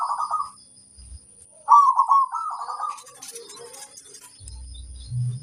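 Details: A loud-voiced local zebra dove sings, its song used to provoke other birds into replying. Two bursts of rolling, bubbly coos, the second one longer, are followed by faint clicks and a low rumble near the end.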